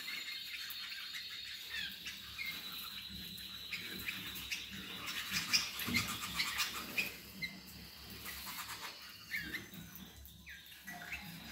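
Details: Roller canary from the Gheling line, singing indoors: rapid pulsed trills and rolling runs over a steady high sustained tone, peaking midway, with scattered clicks and rustling throughout.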